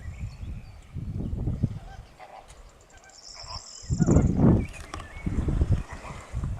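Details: Greater flamingo flock giving bursts of low, nasal honking, loud clusters around four and six seconds separated by quieter gaps, with faint higher notes above.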